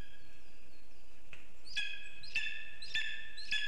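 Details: Lesser spotted eagle calling while bringing a gift to the female: a quiet start, then loud, clear, slightly hoarse yelps repeated about every half second, each with a high overtone stack.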